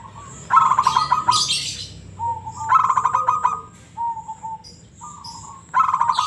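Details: Local zebra dove singing in the ngebrem style: rolling, trilled coos near one pitch in phrases about two seconds apart, a short plain note between them, and sharp high scratchy bursts over the trills.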